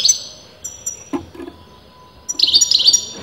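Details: European goldfinch, whose sex breeders disagree about, giving brief high twittered fragments at the start and a livelier burst of quick tinkling notes near the end, with soft low knocks and a faint hum between.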